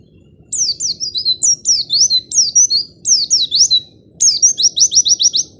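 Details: White-eye singing in a lure recording for silent birds: clusters of high, sharply falling whistles repeated in short phrases, ending with a fast even trill; steady low background hum throughout.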